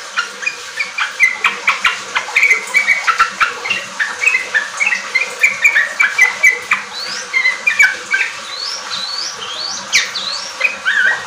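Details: Energetic sooty-headed bulbul song played as a lure to get untrained caged bulbuls singing riwik and ropel: busy overlapping chirps and bubbly phrases, ending in clearer rising whistled notes, with steady background chatter.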